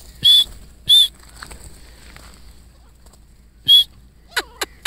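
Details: Grey francolin family calling: three piercing, high whistled bursts, two close together and one after a pause, followed by a rapid series of thin, sharp ticking chirps against a quiet background.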